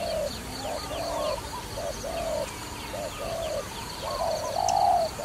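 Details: Dove for trapping calls in mellow, rounded coos, several short notes, then a louder, longer falling coo at the end. Distant bird chirps are faintly audible.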